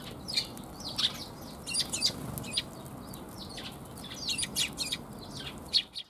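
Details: Sparrows in a back alley in late January: scattered short high chirps and twitters repeated irregularly, fairly faint over steady low background rumble.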